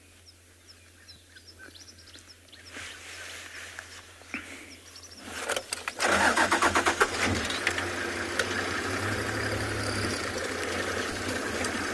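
A vehicle engine starts and runs over faint outdoor background noise, with no animal calls standing out.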